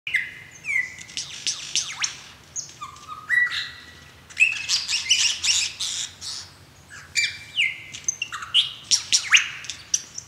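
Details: Male lyrebird in Australia singing while dancing to attract a mate: a rich, varied run of loud whistles, sharp downslurred and rising notes, buzzy bursts and clear level tones, shifting quickly from one phrase to the next.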